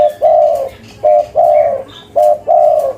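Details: Spotted dove of a local strain, a persistent caller, giving cetrekan-style coos: a brief note followed by a drawn-out, level then sagging coo, three pairs in quick succession.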